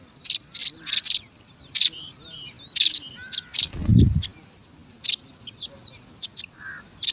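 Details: Five bar-winged prinia nestlings in an alang-alang grass nest vie for food with loud bursts of high shrill chirps and thin whistles, plus a brief low thump near the middle.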